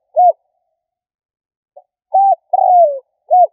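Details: Spotted dove coo used to lure and provoke: a short arched note, a pause with a faint pip, then a phrase of short coo, long burry downslurred coo and short coo, with no other sounds.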